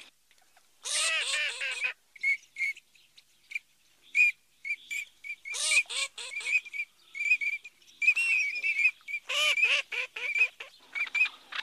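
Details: Eurasian teal (Anas crecca) giving short, clear, piping whistles, repeated irregularly about every second, broken by three bursts of harsher, nasal chattering calls.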